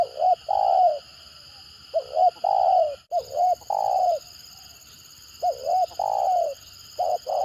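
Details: Repeated stuttering 'gagap' phrases from a spotted dove, a lure call said to get strong replies from other birds: four doubled looping notes each ending in a long falling coo, one brief dropout near three seconds, constant hum behind.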